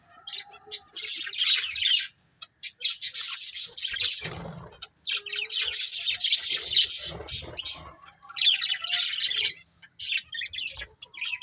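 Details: Several budgerigars chirping in bursts of dense, high, scratchy warbling chatter separated by short pauses, with a faint low thump near the middle.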